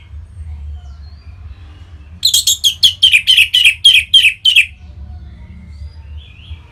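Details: Orange-headed thrush kept in captivity in Bali, singing to stimulate other birds: after quiet hum, a quick series of about ten sharp, loud, high notes repeated rapidly, each a clipped buzzy chirp, then fading to faint twittering.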